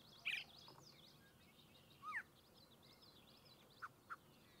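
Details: Yellow-breasted chat (Icteria virens) singing on 6-02-2023 at Goose Lake Prairie State Natural Area, Illinois. It gives a harsh burst, a quick down-slurred whistle, then two short soft notes, with other birds chirping faintly in the background.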